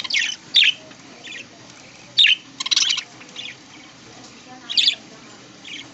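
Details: Early-morning aviary budgerigars feeding on corn in green leaves utter separate sharp, high chirps in brief spaced bursts, some doubled, with quiet gaps between.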